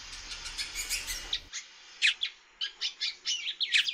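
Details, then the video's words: Female great-billed seed-finch calling a lot during bird-keeping care. A noisy start gives way to short, sharp, slurred chirps repeated irregularly, roughly every second. "FÊMEA DE BICUDO PIANDO MUITO"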